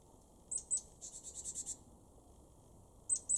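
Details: Great tit in a garden in Weener, East Frisia, northwestern Germany, February 2023: high thin notes, a quick run of about eight evenly spaced chirps, then paired short notes at the end, over a quiet rural background.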